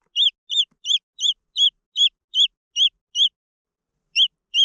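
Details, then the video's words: Green junglefowl chicks give high, arched peeps, about two or three per second, in a steady run that pauses briefly before resuming. No other sounds are heard. "The Sound of jungle fowl chicks"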